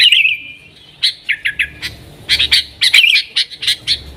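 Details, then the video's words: Yellow-vented bulbul singing nggaruda to lure wild sooty-headed bulbuls: an opening fluty warble, a pause, then spaced sharp chirps and short bubbling bursts. "TRUCUKAN GACOR Nggaruda"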